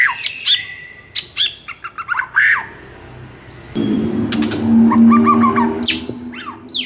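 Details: White-rumped shama in excited song meant to provoke quiet shamas into singing: sharp chips and short whistles, then a low steady hum under scattered trilled notes in the second half.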